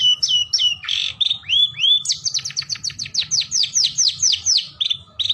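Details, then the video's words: Cendet (long-tailed shrike) singing in Indonesian gacor fashion: falling whistles, a raspy harsh note, smooth rising slurs, then a fast burst of crisp downward chips around four per second. "SUARA BURUNG CENDET GACOR - SUARA MERDU"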